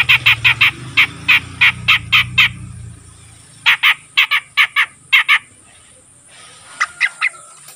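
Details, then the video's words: A young, untrained grey-cheeked bulbul that is starting to sing regularly gives quick runs of harsh, chattering notes, about three per second, in bursts with short pauses; a low hum fills the first few seconds. "suara burung cucak jenggot bahan yang mulai rajin bunyi"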